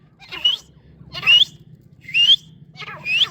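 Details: Female francolin calling: four sharp, rising whistled notes repeated about once a second, over a low steady hum.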